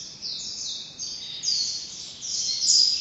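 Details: Ashy bulbul (Brinji Kelabu) uttering thin, high whistled notes in short, slightly slurred strokes, louder toward the end, over faint background hiss.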